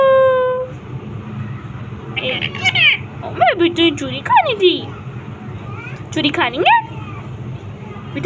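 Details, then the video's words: Parrot on a roof talking with its owner. It makes a steady held tone, then chattering, voice-like syllables with swooping rises and falls in short bursts, over background hum. "Parrot is talking on roof"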